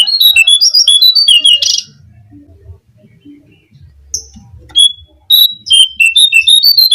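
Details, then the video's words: Brown-cheeked fulvetta song used as a lure: a rapid jumble of whistled notes, a pause with low rumbling, then another fast phrase of slurred whistles. "suara pancingan burung jongkangan (cingcoang coklat)"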